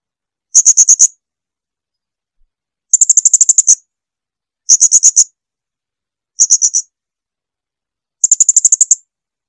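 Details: Blue-crowned hanging parrot in a clear training recording: five evenly spaced bursts of high, piercing, rapidly repeated ticking notes, each lasting under a second, separated by silence.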